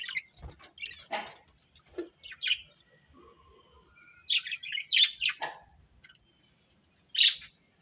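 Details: Pet budgies giving scattered chirps and short scratchy warbles, some rising, with quiet gaps between and a last clear chirp near the end.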